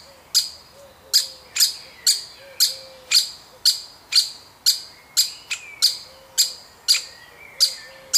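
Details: Baby woodpecker from a woodpecker family, fed by a parent: a steady series of short, rasping high chips, nearly two per second, each sharp at onset and quickly fading, with faint low murmurs beneath.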